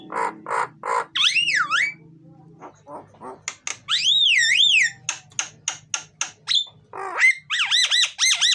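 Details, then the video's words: Loud, full myna (jalak) song meant to coax lazy mynas to sing: harsh buzzy notes, wavering whistled sweeps that rise and fall, a low grating chatter, and sharp clicking bursts. "suara jalak gacor,isian dan keras, cocok buat pancingan jalak yang malas bunyi"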